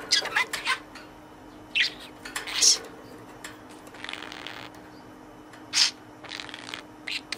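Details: Pet budgerigar in a cage, using words it has learned while playing with its toy companion: rapid high-pitched, breathy chattered syllables in uneven bursts, with soft rustling between them indoors.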